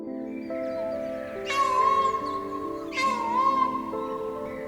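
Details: Green peafowl in Cambodia giving two loud, drawn-out, cat-like wails about a second and a half apart, over steady orchestral music.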